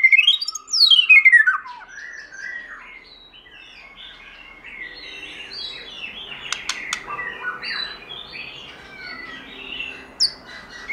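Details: White-rumped shama singing in the forest-voice style: a loud rapid descending sweep of whistles, then a softer stretch of varied chirps and warbled notes with a faint background hiss.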